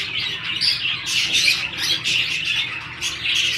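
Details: Australian budgie pairs mating in breeding season make loud grating squawks and chirps, including a short whistled sweep near the start.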